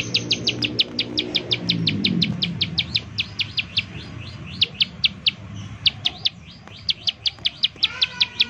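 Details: Bar-winged prinia repeating quick, thin, descending chips in its 'nembak' style, used as a lure so other prinias start singing. A low rumbling noise covers the opening seconds, and the rhythm turns uneven near the end.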